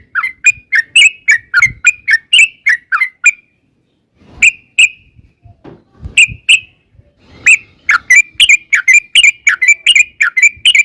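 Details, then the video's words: Yellow-vented bulbul in long 'ropel' chatter song, played as a lure to make other bulbuls answer: fast bubbly whistled notes in a rapid run, a gap with soft thumps, then an even denser burst of chattering phrases. "trucukan gacor TARUNG ROPEL PANJANG pancingan trucukan agar bunyi jadikan burung trucuk gacor NYAUT"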